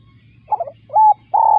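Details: Spotted dove beginning a phrase: a wavering stuttered note, then a short level coo and the start of a longer, louder coo, over a faint low hum.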